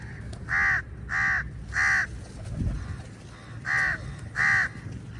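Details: Many crows fighting with eagles over food; five loud harsh caws in an irregular series, with steady low background rumble.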